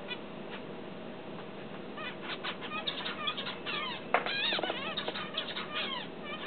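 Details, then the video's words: Tame pet finch learning to sing gives rapid, varied chirps and twittering notes, some sliding up or down, over a steady background hiss. "My tamed finch learns to sing"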